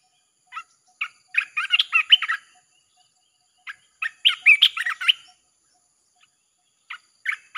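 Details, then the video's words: A red-whiskered bulbul sings in nonstop 'chopping' style for luring wild birds, with two busy phrases of bright, bubbling chirps separated by a pause, then a few short notes. "เสียงนกกรงตาแดงEp.158 สับไม่หยุด!! เปิดล่อนกป่าเข้า100%"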